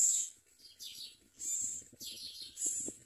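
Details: Common myna at its nest, catching crickets to feed its chicks; loud, harsh, high chirping bursts repeat roughly every second, with brief quiet gaps between them.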